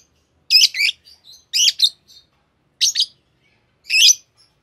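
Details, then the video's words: Green pair of Fischer's lovebirds giving sharp, squeaky double chirps about once a second, with soft twitters trailing each burst. "Lovebird Singing & Chirping Sounds - Green Fischer Pair"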